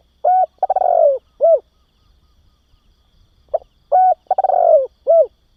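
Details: Cooing of a spotted dove, played to stimulate and train juveniles: two matching phrases, each a short note, a rolling buzzy coo and a closing hollow note, separated by about two seconds of silence.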